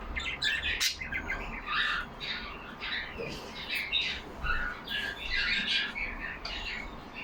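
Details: Several caged yellow budgies chatter among themselves with scratchy warbles and clipped chirps in overlapping bursts, plus one sharp click near the start and a quiet room hum.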